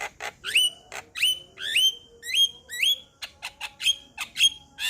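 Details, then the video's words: Male Javan myna whose song prompts other Javan mynas to sing: repeated squeaky, upslurred whistles with harsh edges, roughly two a second, then a quicker run of sharp clicks. "Semua Jalak Kebo Balak LAngsung Bunyi Dengar Kicauan Jalak Kebo Jantan Ini"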